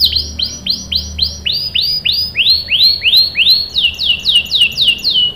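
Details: Singing canary meant to coax others into replying, giving a steady series of bright down-slurred whistled notes, roughly three per second, gradually rising slightly in pitch.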